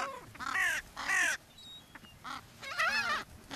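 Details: Gulls being fed on the beach at Brean Sands, Somerset, England, on a spring day in April 2013: harsh, loud, downward-arching squawks in two strong bursts, then a wavering series of yelping cries.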